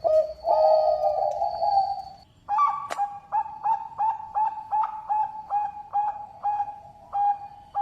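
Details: Zebra dove of the Bangkok strain singing actively: one long, drawn-out mellow note with a slight waver, followed by about a dozen short, clipped coos repeated at a steady, brisk pace, with a single sharp click partway through.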